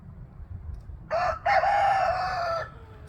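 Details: Rooster crowing during a crow-off between several roosters: a short opening note, brief pause, then a long, loud, harsh sustained crow of about a second, ending abruptly, over low rumbling background.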